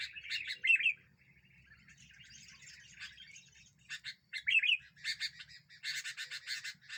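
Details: Sooty-headed bulbul, locally kutilang, singing loudly in a recording meant to provoke other birds and used as a trapping lure. Short whistled phrases alternate with bursts of harsh, buzzy chatter, with a quieter scratchy stretch in between.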